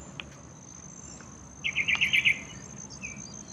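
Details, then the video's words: A yellow-vented bulbul at a small water pool in a courtyard near a workplace gives one rapid bubbling run of about six notes, then a short whistle, against a steady high-pitched hum. "Yellow Vented Bulbul"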